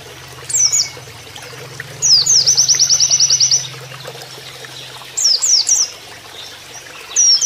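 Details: Oriental white-eye singing canary-like 'nembak kenarian' phrases for training: isolated slurred whistled notes, then a one-second rapid high trill, more paired whistles, over steady low sound of running water.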